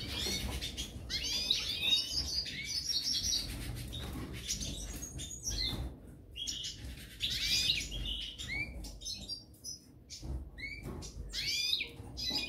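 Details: A pair of European goldfinches of the parva subspecies: bright twittering song of quick high chirps and short rising and falling notes in dense bursts, with brief pauses and a low background rumble.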